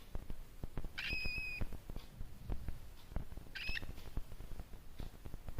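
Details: A pet cockatiel that enjoys being pampered gives two short, clear whistled calls about two and a half seconds apart over soft handling noises.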